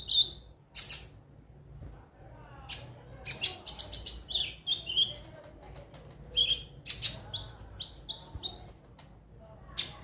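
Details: Konin, or crimson sunbird, singing as a prompt for other birds: a mix of high thin whistles, clicks and rapid twittering runs, with brief pauses, over a quiet low hum.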